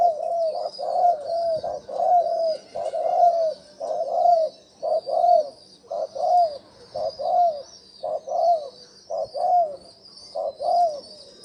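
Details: Spotted dove coo used as a decoy to excite wild doves: a steady series of low, slightly arched coo notes roughly once a second, over a thin high insect-like drone.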